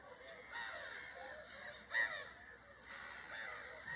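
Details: Whooper swans giving loud, nasal, trumpeting calls, several birds overlapping in a steady chorus with one louder call standing out.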